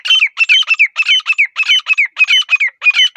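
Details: Grey francolin (teetar) calling in a quiet forest setting: loud, harsh, rhythmic phrases of squawky notes, each with a descending whistled slur, repeated rapidly about three times a second with no other sounds.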